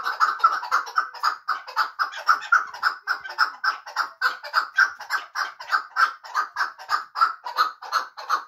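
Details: Repeated rhythmic chuk-chuk calling from a hunting chukar partridge of Muminobod: harsh, mid-pitched clucks in quick series, rising and falling slightly in loudness, with no other clear sounds.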